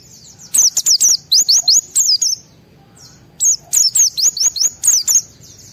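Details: White-eye in a high-emotion, excited state, singing loudly to provoke other white-eyes into singing: two bursts of rapid, thin, very high slurred twittering notes, each burst lasting over a second, separated by a brief quiet pause.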